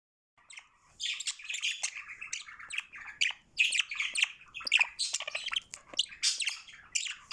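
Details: A curious pet budgerigar chatters in a fast, scratchy warble of high chirps and squawks.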